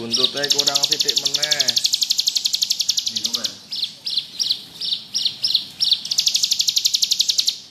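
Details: Bar-winged prinia in lively ngebrem song. A fast, buzzy high trill runs for several seconds, then breaks into spaced, sharp chirps, then returns to trilling. A lower, wavering harmonic call from another source sounds at the start.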